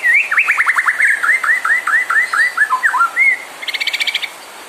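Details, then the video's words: ['Lively white-rumped shama song used to provoke rival singers: rapid upswept notes flowing into a long chain of evenly repeated curved whistles, ending in a short buzzy trill.'] "PANCINGAN MURAI BIKIN CEPAT EMOSI | SHAMA BIRD"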